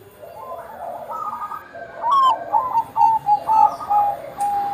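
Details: Bangkok-type zebra dove singing: faint murmuring coos at first, then a clear series of short falling coo notes about twice a second with a click before them; meant to coax other Bangkok zebra doves into song.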